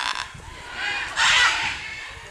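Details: Scarlet macaw at a wildlife reserve in Punta Islita, Guanacaste, Costa Rica, near a Guanacaste tree: one short, grating, hoarse squawk stands out midway, with fainter rough calls before it.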